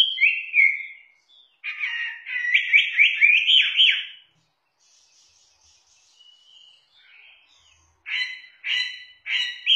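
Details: Chinese hwamei (Garrulax canorus) singing loud, rich whistled phrases with rapid rolling notes, a brief pause, then a run of emphatic repeated notes.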